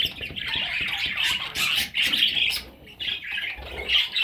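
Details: Parrot chicks calling in raspy bursts that rise and fall in waves about a second long, with short quiet gaps between the louder surges.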